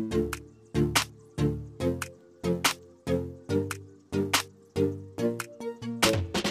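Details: Rhythmic music with plucked, percussive notes struck roughly every half second, and no animal voice heard.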